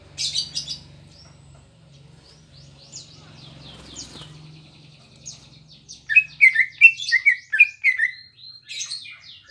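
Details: {'caption': 'Green leafbird at a house, mostly faint scattered chips over a low hum at first, then a lively burst of loud, rapidly repeated slurred whistles and high twitters.'}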